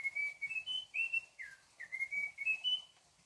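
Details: Munchique wood wren, a Colombian endemic, at Alto La Eme, singing a rich, fluty phrase of clear whistled notes, rising and falling, with one slurred downward note in the middle; nothing else heard.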